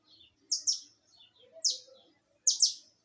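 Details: Saffron finch singing live: three bursts of paired sharp, high chirps sliding downward, separated by pauses of about a second, with faint softer notes between.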